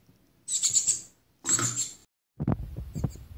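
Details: A hand-reared Shiny cowbird nestling, about two weeks old and parasitised by Philornis larvae, gives two harsh, hissing begging bursts, each lasting about half a second, followed by low thumps and handling noises.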